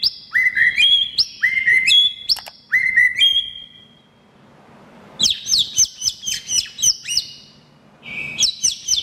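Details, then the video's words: White-rumped shama song used as a prompt for caged shamas: fast stepped whistles and sweeping notes, a pause of about two seconds, then rapid high trilled phrases and a final steady whistle. "Pancingan Murai Batu - Terapi Murai Batu macet"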